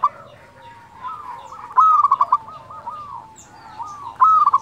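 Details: Local zebra dove singing in the 'nyuling' style: two loud phrases of sustained whistle plus fast stuttered coos, separated by softer, lower cooing from other doves.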